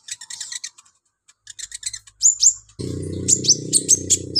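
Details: Lively, actively singing olive-backed sunbird, used as a master song to train other birds, delivering a medley of imitated notes: a scratchy chirp run, then sharp high whistles sweeping down, over a low steady hum in the second half.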